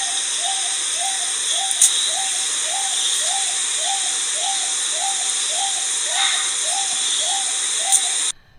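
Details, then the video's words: A male Wonga pigeon, calling all summer without stopping, repeats a short mid-pitched coo about twice a second in a steady, monotonous run, over loud constant background hiss. "That call from the Wonga pigeon goes on and on and on and on."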